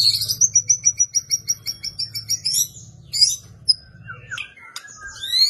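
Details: White-rumped shama (murai batu) in an emotional, energetic fighting song used for masteran training of caged birds. About ten high whistled notes repeat rhythmically, then quick varied sweeps and chips, with a faint low hum beneath.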